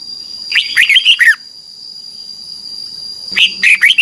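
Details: In Thailand, a red-whiskered bulbul sings for training young birds: two quick, rollicking phrases of slurred whistles, each with about five notes, separated by a two-second pause and a constant thin high tone.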